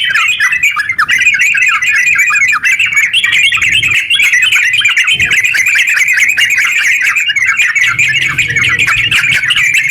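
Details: A yellow-vented bulbul's long, continuous ngeropel song used as a lure to make quiet bulbuls sing: busy, rattling twitters flowing without a break over a soft low hum.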